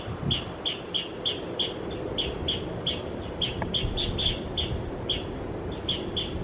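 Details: Asian brown flycatcher (Muscicapa dauurica) calling in trees, Metropolitan Park, Taichung City, 28 December 2021: a steady series of thin, high chips, about three per second, over a soft low background rumble.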